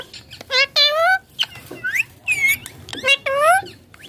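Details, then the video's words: Rose-ringed parakeet (ringneck green parrot) talking while playing on a mobile phone: loud, close, rapid run of harmonic syllables, several long wavering phrases and short rising chirps separated by brief gaps, in a quiet room. "Ringneck Green Parrot talking"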